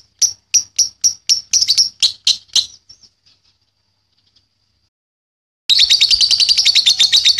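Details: Young lovebird, used as a tutor recording for other birds to learn its ngekek chatter: a string of sharp high chips, a silent pause, then a dense, fast, buzzy trill.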